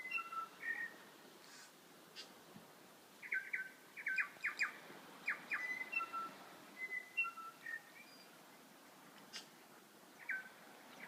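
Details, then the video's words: Wild birds calling in Abel Tasman National Park: varied whistled notes, short bursts, clicks and warbling phrases, some rising and some falling, scattered through the recording with quiet gaps between, over a soft natural background. "Bird calls in Abel Tasman National Park"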